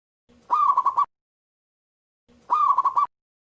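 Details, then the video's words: Loud local zebra dove in full song, giving two brief bursts of quick, pulsed cooing notes about two seconds apart, each lasting roughly half a second and sounding somewhat rough and distorted, with silence between them. "PERKUTUT LOKAL GACOR SUARA BESAR"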